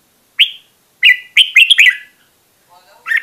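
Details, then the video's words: Red-whiskered bulbul, recorded to train a bird's voice, giving a few separate clear whistled notes, some slurring downward, spaced by short silences. "Luyện Giọng Chào Mào Mồi - Chào Mào Giàn Đạt Căng Lửa"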